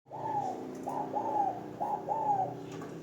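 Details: Caged spotted dove in a hanging cage, calling often: mellow, low hooting coos in short phrases of two or three notes, each slightly falling, repeating steadily over a faint steady hum.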